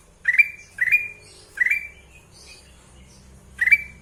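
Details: Sooty-headed bulbul singing vigorously: short whistled phrases near mid pitch, each starting with a quick rising slur then a held note, repeated four times roughly every second with a gap before the last; quiet background.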